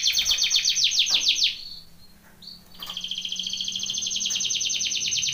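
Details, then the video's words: Belgian canary training song: a fast, pulsing trill that ends in a falling note, a short pause and a brief whistle, then a long, even, high trill resumes. "BEST canary singing / CANTO CANARIO CANTANDO FOR TRAINING / CANARY TRAINING SONG"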